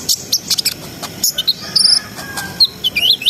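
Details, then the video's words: Energetic song of a brown-throated sunbird, used to raise breeding arousal in untrained birds: rapid high clicks and chips mixed with short wavering whistled phrases. "SUARA KONIN GACOR NGRIWIK NGEROL SAMBUNG NEMBAK"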